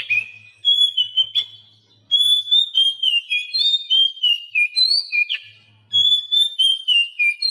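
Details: An Oriental magpie-robin in a training recording for captive birds that will not sing. Pure whistled notes alternate high and low in steady repeated phrases, broken by brief pauses, with a faint low hum at times.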